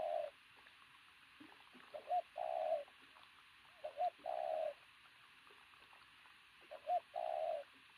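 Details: Athletic pigeon with a loud coo. Three paired phrases, each a quick upturned note then a drawn-out steady coo, spaced about two to three seconds apart over a quiet background.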